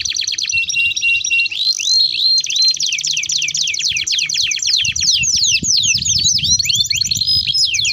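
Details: Long rolling canary song meant as a lure and a tutor for young birds: continuous fast trills of repeated sweeping notes, changing tempo and pitch over eight seconds, with low background noise.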